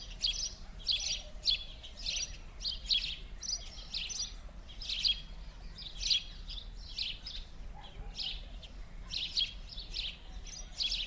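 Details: Winter play of house sparrows in Verdun, Montréal, recorded 16 January 2016: a steady stream of sharp, high chirps, roughly two per second, continuing throughout with slight variation in pitch, over a low urban hum.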